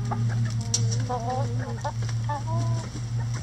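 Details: Several chickens busy with a cabbage ball hung in their run as a boredom buster, giving quick repeated chirping clucks and short whines, close together, over a constant low mechanical hum and pecking taps.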